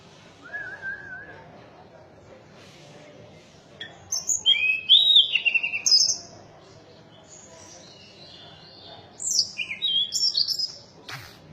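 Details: Mountain tailorbird: a soft lower whistle first, then two bright bursts of high, sharp whistled notes with quick upslurred and downslurred slides, quiet pauses between, low steady hum behind.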